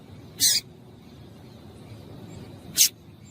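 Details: Female Double-collared Seedeater calling to excite the male: two short, sharp, high chip notes about two seconds apart, each a brief burst spread from mid to very high pitch, over a faint low background hum.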